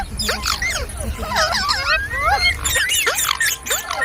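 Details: Ringneck parrot talking, singing and making funny sounds: dense, overlapping squeaky chatter of short rising and falling whistled notes and harsh bursts, with a low rumbling hum underneath.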